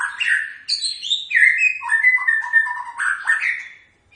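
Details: White-rumped shama giving its typical song: a rich, varied run of loud whistled phrases, some sliding down and some rising, with fast chattering notes mixed in, almost without pause.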